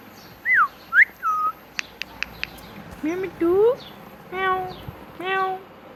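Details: Talking pet parrot: three arched whistled notes, a run of quick clicks, then two rising voiced syllables and two buzzy, harmonic word-like calls near the end.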